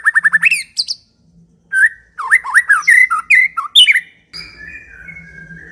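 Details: White-rumped shama song used to lure other shamas into answering and singing: a quick run of rising chirps, then varied loud whistled phrases with sliding and looping notes, ending in a long, even, slightly buzzy tone.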